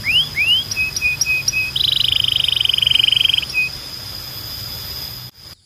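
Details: Song of a Belgian canary: two rising slurred whistles, a few short level notes, then a long, even, rapid rattling trill before the sound cuts off abruptly.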